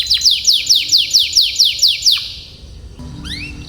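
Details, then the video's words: Canary tutor song for teaching young canaries long rolling song. High descending whistled sweeps repeat about twice a second in an even roll, then a pause and a few rising chirps. "Suara BURUNG Kenari ||° Bird Chirping Sound ||° Masteran dan PANCINGAN kenari"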